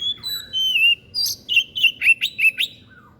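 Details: White-breasted bird singing an odd phrase used to teach other birds: a few clear drawn-out whistles, then a quick series of sharp, rising chirps repeated about six times.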